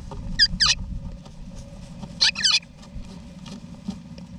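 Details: Wild eastern rosella parents with their babies in a backyard nesting box in Australia, November 2018, give two short bursts of high, wheezy, chattering notes about two seconds apart, over a steady low rumble.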